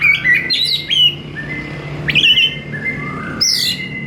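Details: Oriental magpie-robin in lively song. Clear, level whistled notes alternate with abrupt upward-sweeping chirps and squeaky phrases, all delivered at close range over a faint low hum.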